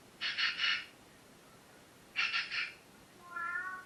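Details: Morning chatter from pet parrots: two bursts of three rapid, raspy squawks about two seconds apart, followed by a softer, nasal, wavering tonal call at the close.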